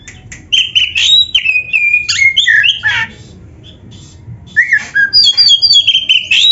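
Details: Oriental magpie-robin song for training caged birds to sing, with a rich run of varied whistled phrases, sliding notes and quick chirps, dense and loud, with a brief pause midway and a low background hum.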